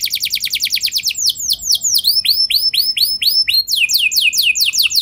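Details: Canary singing a rolling 'ngeroll' song meant to provoke other canaries into singing: fast high trills, then looping swooped whistles repeated in quick runs, shifting back into a brisk chattering roll.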